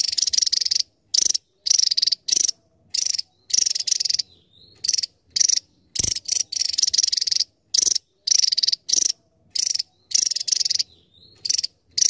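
Javan tesia song: very high, dense, buzzy bursts, each under a second, repeated almost without pause; thin whistles come through in the short gaps.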